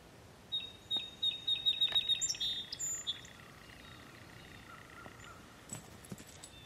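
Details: Song sparrow singing to three Border Terriers: a series of clear repeated notes speeding into a short trill. A softer, lower whistle follows, with quiet background noise.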